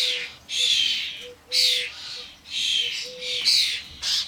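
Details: Starling fledglings and adults gathered on a garden bird feeder. Continuous grating, wheezy screeches run almost back to back, with a faint steady low whistle-like tone sounding underneath.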